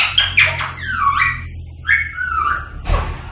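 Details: Rose-ringed parakeet calling to stimulate other parakeets to sing and mate; a few clear whistled notes sliding downward, separated by short pauses, over a low background hum.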